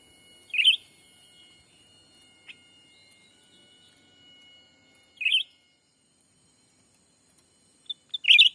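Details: Lure call of the black-capped bulbul to attract wild birds, Sumatra forest: burry chirps repeated roughly every four to five seconds, ending with a few sharp ticks before the last chirp.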